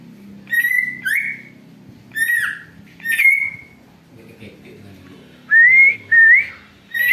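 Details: Greater green leafbird singing eagle-like whistles for luring: repeated clear level and curving whistled phrases, some rising sharply, separated by short pauses, over faint low background noise.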